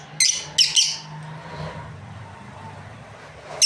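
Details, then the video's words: Three fast harsh chirps from a breeding pair of lovebirds in the first second, then a humming pause and one more chirp at the end. "Amazing Lovebirds Chirping Sounds | breeding pair"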